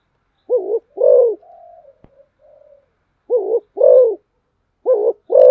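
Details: Spotted dove kept as a decoy bird, giving low mellow cooing in pairs: a short hooting note, then a longer, fuller one. Three such pairs with a faint thin whistle between them.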